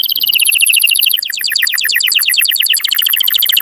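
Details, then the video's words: Canary song used to stimulate breeding; continuous fast trill of rapidly repeated high notes, shifting to a slightly lower, choppier rattle partway through. "تغريد كناري قوي لتحفيز الذكور وتهييج الاناث على التزاوج Canary"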